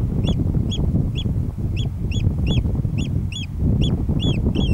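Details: Oystercatcher giving loud, shrill piping notes, about two per second, over a heavy low rumble of wind or surf, on rough links-like ground on Ceann Ear island, 25 July 2011.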